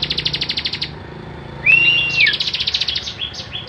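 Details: Bar-winged prinia singing actively for training other songbirds: a pulsed buzzy trill, a short arched whistle, then stuttering trilled phrases.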